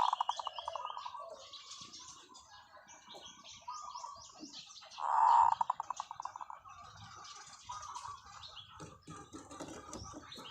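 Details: Decoy zebra dove giving long calls: a loud burst followed by a rapid, rolling run of staccato coos that fades over about two seconds, with many small chirping birds in the background.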